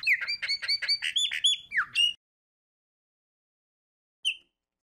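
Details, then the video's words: Chopi blackbird (pássaro preto, called "fumaça") sings a rich two-second phrase of liquid whistles and chuckling notes, mostly high, then one clear whistled note after a pause. "CANTO DO PÁSSARO PRETO"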